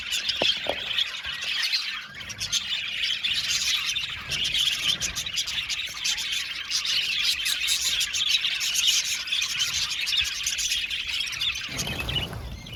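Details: Many budgies chirping together, a long unbroken stream of high warbling chatter, ending with a brief low rustle.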